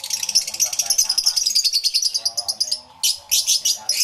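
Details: Many lovebirds, including Yellow-collared lovebirds, calling in a crowded aviary, recorded with a camera and two external microphones: rapid, high-pitched, scratchy chirps pulse several times per second, a brief lull near three seconds, then harsh, loud bursts resume.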